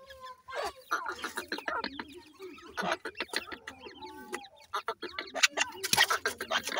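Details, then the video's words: Grey francolin chicks at their nest calling in a rapid, irregular burst of chirps, clucks and squeaky rising notes, some louder harsh bursts near the end. "gray francolin nesting,dakhni teetar chicks calling"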